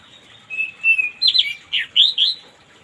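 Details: Orange-headed thrush heard in the morning, used to encourage a non-singing bird to sing. Two soft level whistles lead into a fast run of six loud slurred notes, some rising and some falling, in a varied phrase.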